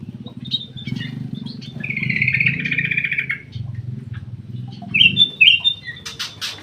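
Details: A black-crested bulbul kept in an aviary delivers a buzzy chattering warble followed by quick bright whistled notes, over a prominent low droning hum with faint metallic clinks at the end.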